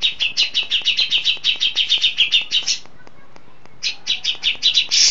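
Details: A settled Grey-cheeked Bulbul in full song, heard at long range, gives a fast, even run of bright, chirping notes, about five a second, then breaks off briefly before starting again.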